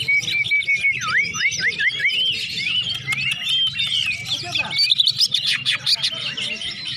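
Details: Before a singing contest, a greater green leafbird warms up with looping whistled notes that dip and rise, then tumbles into fast chattering phrases and mimicked chirps, with faint low-pitched background noise.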